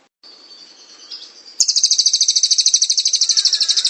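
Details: Cililin rolling song (gacor ngrol) for tutoring other birds: a thin high whistle, then a sudden, loud, dense trill of rapid sharp notes running to the end.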